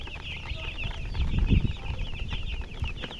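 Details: Baby chicks keep up a steady run of high peeps while louder low thumps and rumbles of handling noise rise in the middle of the recording.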